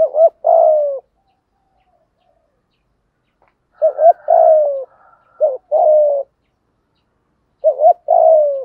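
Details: Spotted dove lure bird giving its full thúc gù cooing sequence: three phrases, each a quick warbling double note followed by a longer, low, falling coo, separated by pauses of several seconds.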